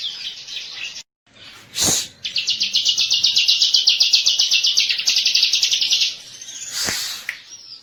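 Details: Bar-winged prinia master lure song: after a brief pause and a loud noise burst, a steady, evenly pulsed high trill runs for about four seconds before another noise burst.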